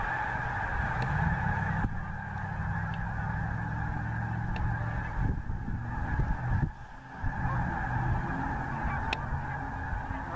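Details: Geese over the Missouri give sustained massed honking, with a brief dip near the end and low rumbling noise beneath.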